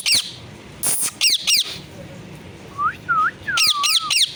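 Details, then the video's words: Talking pet parrot whose words are said to include 'mummy papa' and 'sitaram'. Harsh downslurred screeches alternate with three smooth, whistled, speech-like syllables near the end. "parrot talking"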